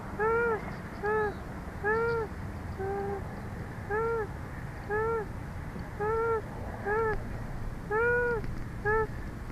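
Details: Female bald eagle beside her panting mate on a hot day in Big Bear, caught by a live eagle cam; a run of about thirteen brief curved, harmonic-rich notes, roughly one a second, unevenly spaced, with low background rumble.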